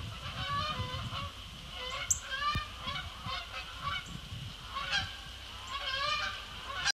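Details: A flock of Canada geese taking off from a pond at Sapsucker Woods, New York, around 18:15 on 27 October 2017: overlapping nasal two-note honks over a low rumble of wing beats and background noise.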